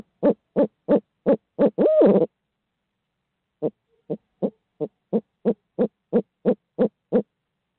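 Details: Barred owls hooting in Midtown Tulsa, on a live camera feed: a fast run of rhythmic hoots ending in a longer, wavering drawn-out note, a short pause, then another steady burst of about fourteen quick hoots.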